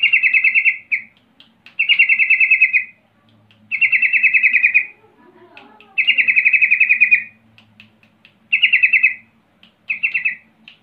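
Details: Lure song of a sooty-headed bulbul in 'rol' style, used to mock rivals and prompt other bulbuls to reply at once: six bright, buzzy rolling trills of about one second, delivered every one to two seconds.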